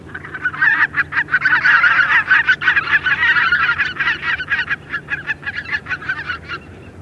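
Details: Greater white-fronted geese, a small group flying overhead, make a dense babble of rapid yelping honks, roughly three per second, swelling to a loud chorus then thinning out.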